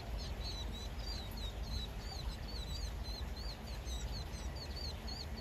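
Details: A flock of vinous-throated parrotbills chatters in the morning by the Uicheon stream, giving many short, high, twittering chips in quick succession over a steady low rumble of wind or distant traffic.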